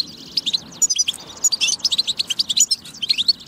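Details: Goldfinch song, European, meant to spur other goldfinches into singing: a quick string of bright, clipped chirps and high tinkling notes, almost evenly spaced.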